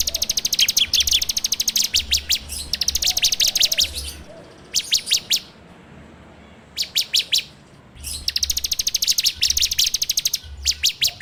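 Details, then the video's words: Bar-winged prinia (ciblek) lure song for training birds, recorded on Android: long, dense buzzing rattles of rapid ticks, separated by short bursts and a near-silent gap, with faint low hum. "PANCINGAN SUARA CIBLEK TERBAIK FULL NGEBREM RAPETT!!!"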